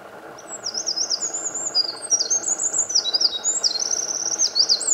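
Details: A Eurasian wren singing in morning sunlight in Japan on 8 May 2014 gives a long, loud, very high stream of rapid trills and zigzagging twitters, almost without pause, over a faint steady hum.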